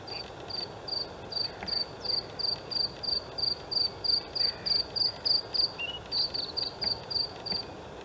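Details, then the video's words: Male white-spotted Bluethroat in a reed area at Halmstad harbour fill, Sweden, May 2017, singing from an open perch: a long, even run of bright high ringing notes repeated about three per second, briefly broken, then resumed. "Blåhake/Luscinia svecica cyanecula/Bluethroat"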